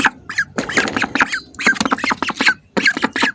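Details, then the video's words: Hungry ducks close by, making short hoarse quacks and nasal squawks in uneven clusters, interrupted by brief silences. "hungry ducks making sounds"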